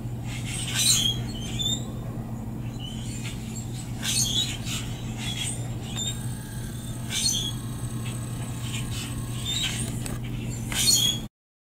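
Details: Common grackles, mostly heard rather than seen, gathering in a front yard on 2 February 2018, give harsh, squeaky calls in short bursts every few seconds over a steady low hum.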